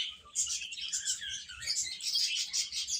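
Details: A flock of chicks eating and playing, keeping up an unbroken wash of shrill, high-pitched peeping from many birds at once.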